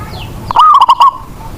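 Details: Local zebra dove in Indonesia, used as a lure to make other doves sing, delivers a single phrase: a brief rising coo followed by four quick, knocking notes.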